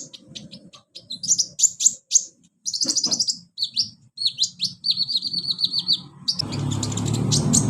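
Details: A sunbird recording played as therapy to prompt reluctant sunbirds to sing: a rapid, high, twittering song of thin sharp notes and trills, with a burst of broadband noise near the end.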